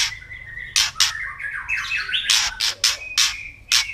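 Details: White-rumped shama giving kretekan, a harsh crackling call used as a lure to provoke other birds into agitation. Sharp broadband crackling bursts repeat in quick clusters, mixed with thin whistled notes and short descending warbles between them.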